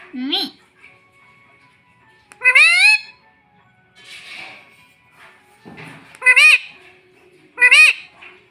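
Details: A talking pet parrot saying words like 'mitthu' and 'mummy' indoors. It produces several short, bent, nasal syllables and one longer rising call, with soft noises in between.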